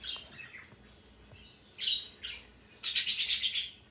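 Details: Male pet parrot giving a few soft, rising chirps, then ending in a loud, rapid, harsh chatter of about eight pulses in under a second.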